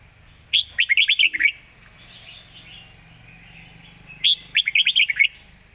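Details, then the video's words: Zone-style song of a Red-whiskered bulbul, delivered quickly and in a rush: two bursts of about seven rapid whistled notes each, roughly three seconds apart, with soft warbling from other birds between them. "สายเพลงโซนห้ามพลาด"ทีเด็ดเพลงโซนปากไว เพลงรัวๆ"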